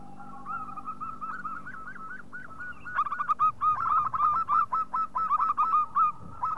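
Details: Local zebra dove giving a loud lure call meant to set other doves singing: runs of quick, clipped, mid-pitched coo notes, each with a slight upward lilt, strung together rapidly with small uneven pauses.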